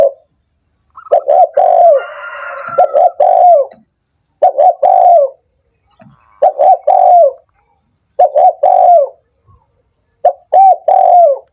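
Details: Spotted dove calling, played to stimulate doves that are lazy or have stopped calling: loud, low, hollow coo phrases in bursts about two seconds apart, each a short note then a longer falling coo, with faint higher notes between.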